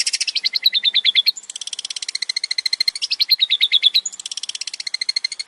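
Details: ['Singing male long-tailed shrike with many variations, a lure track for other shrikes; fast rattling trills with falling, slurred phrases, repeated nearly without a break, shrill and high.']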